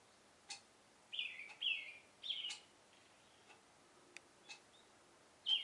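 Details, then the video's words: Oriental reed warbler giving a love song in the morning from a cherry tree, three gravelly grating phrases in quick succession, then quiet clicks before one more harsh note. "オオヨシキリの Love Song"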